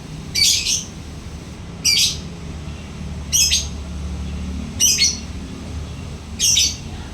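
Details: Lovebird giving short, sharp, high chirps about every one and a half seconds, five in all, over a low background hum.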